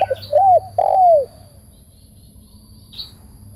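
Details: Spotted dove calling: a few short clipped notes lead into two long, mellow coos that bend gently downward, then quiet with a steady low hum underneath.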